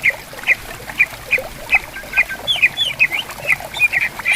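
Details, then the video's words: Greater green leafbirds answering each other in bamboo forest by a river: a bright, sharp note repeated about every half second, with higher slurred whistles joining near the end, over a steady hiss of running water. "Suara Burung Cucak Ijo Gacor Di Hutan Bambu Bersautan, Di Pinggir Sungai"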